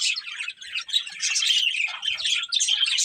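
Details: Budgerigars of a breeding pair chirping rapidly, a bright, scratchy, continuous warble of short high notes.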